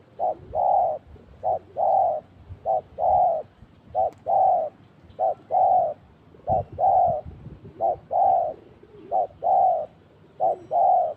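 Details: Decoy spotted dove cooing steadily while trapping, which caught a pair. About nine regular coo pairs, short then long, roughly every 1.2 seconds, slightly distant with faint background rustle.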